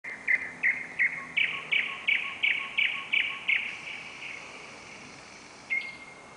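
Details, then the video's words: Nightingale singing on a July night within the city of Novosibirsk, Russia, recorded on a camera: a fast run of about twelve loud, clear piping notes at a steady beat, then a pause and one last note over faint background noise. "песня новосибирского соловья"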